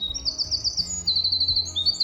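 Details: In Maine forest and bog habitat (Bangor City Forest / Orono Bog Boardwalk), a Winter Wren sings a very high, rapid, tumbling run of bright trills and twitters that shift in pitch without a pause, over a faint low hum.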